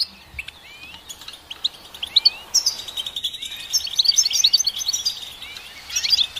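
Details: Goldfinch song: scattered high chirps and upward-sweeping notes at first, then a denser twittering passage with a steady high tone running through the second half.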